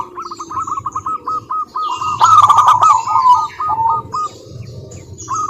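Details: Zebra dove of local wild stock singing lure song meant to set other doves singing: a steady string of short cooing notes, a louder rattling stretch in the middle, and a faint low hum beneath.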